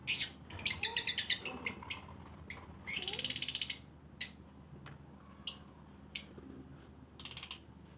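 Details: Colony of lovebirds with rapid runs of high, clicking chirps and short buzzy screeches separated by pauses, some lower squeaky notes beneath, over a faint steady hum.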